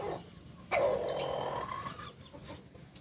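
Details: Kukuak Balenggek chicken, a native singing chicken from Solok, West Sumatra, gives a loud, drawn-out crow note rich in harmonics. It holds steady for over a second, then fades. Faint background noise.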